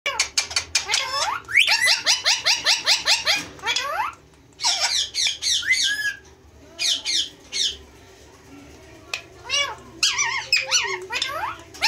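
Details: Two male Indian green ringneck parakeets, kept as pets indoors, giving rapid runs of harsh, sweeping squawks in bursts, with shorter rising and falling notes and pauses between.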